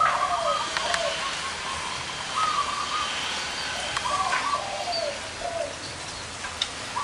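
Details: Zebra doves, several with large and small voices gathered at one outdoor spot, sing repeated short rippling coos, a higher and a lower bird alternating, with scattered clicks and faint chirps over constant background hiss.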